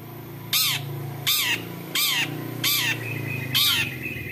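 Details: Long-tailed shrike giving a 'toet toet' style vocalization, used as a lure to make other shrikes sing: five harsh, rasping, arched notes, each about a quarter second long, repeated roughly every 0.8 seconds over a low background hum.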